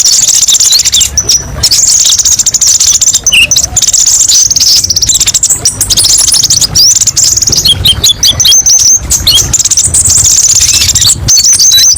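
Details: Kolibri ninja (konin) singing, recorded as training and therapy material with many varied 'tembakan pedes' bursts: dense, very high, thin chirps and rapid trills running almost continuously, broken by short sharp gaps, with a faint low rumble beneath.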